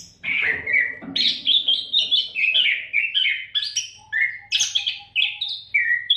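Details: Magpie-robin in full unbroken song for tutoring other cage birds: rich whistled phrases, repeated two-part notes and occasional buzzy bursts, delivered fast over a faint constant hum.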